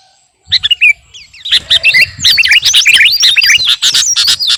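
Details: Sooty-headed bulbul, captive bird, training song: a few clear whistled notes, then a loud dense stream of bubbly, swooping phrases that rise and fall rapidly without pause.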